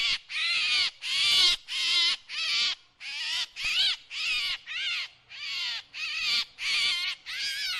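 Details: Drongo lure call: a steady series of about thirteen loud, rasping notes, each slurred downward in pitch, spaced a little under a second apart.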